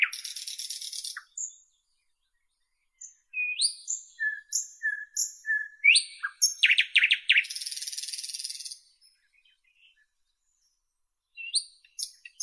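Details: A nightingale opens with a dry, high rattle, then delivers a string of short whistled notes repeated at an even pace, a burst of rapid chirps and another buzzy rattle, then falls silent before resuming briefly.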